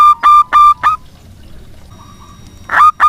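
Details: Local zebra dove singing strongly, used as a lure to prompt doves that have stopped singing: a few loud, ringing cooed notes, a pause with faint soft cooing, then two more bright notes.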